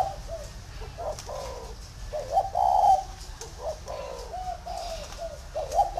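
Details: Large, tame spotted dove from a bird farm in Vân Hòa commune, Ba Vì, Vietnam, giving a run of hoarse, mid-pitched cooing phrases with short breaks. Each phrase has a brief stress near its end. Faint room noise is heard underneath.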